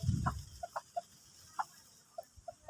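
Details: Bantam (ayam Kate) hen showing signs of being ready to lay: soft, short clucks, single or in quick pairs, spaced irregularly at roughly half-second to one-second gaps, with a brief low thump at the start and quiet background hiss.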